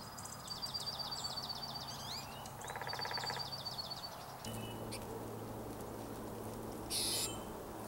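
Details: Junco in a mid-April snowstorm, giving two quick, high, evenly pulsed trills, each lasting about a second or more, followed by quieter background hum and a brief hiss.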